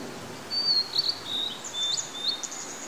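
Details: A Blue-and-white flycatcher in summer in the Tanzawa mountains, Japan, sings thin, high whistled notes in short slurred bursts, some rising and falling, over a soft outdoor hiss.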